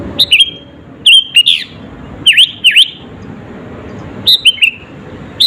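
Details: Lively sooty-headed bulbul song for stirring up rival birds: clear whistled notes sliding down into swooping V-shaped slurs, grouped in quick pairs and triplets with short pauses, faint low noise behind.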